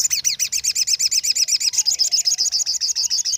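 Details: Sogon sought after by songbird keepers as a master song for training other birds: a fast, steady series of sharp high chirps, about four per second, running throughout, with a faint lower whistle in the background.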